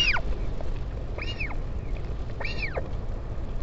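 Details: Wind-buffeted recording from a northern royal albatross colony at Taiaroa Head, Dunedin, New Zealand, on 16 July 2019 during a parent's visit to its chick: three downward-arching, whiny calls about a second apart.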